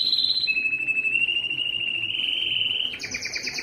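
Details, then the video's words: Yellow canary singing: a high buzzy trill held near one pitch, rising slightly, then switching to a faster, higher rattling phrase near the end. "yellow canary singing"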